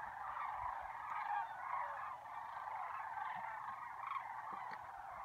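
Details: Spring sandhill cranes at Lac Le Jeune giving a dense, overlapping chorus of rolling, trumpeting rattles that swells and dips slightly across the recording.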